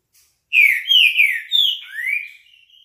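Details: Classic-style song of a green-winged saltator: a loud, clear phrase of five slurred whistles, the first four sliding downward and the last sweeping upward, trailing into a faint thin whistle.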